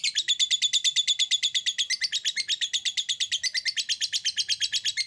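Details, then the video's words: Continuous 'ngekek' of a lovebird, played to stimulate others to trill quickly: rapid, evenly spaced high raspy pulses running unbroken for five seconds. "PANCINGAN SUARA LOVEBIRD NGEKEK"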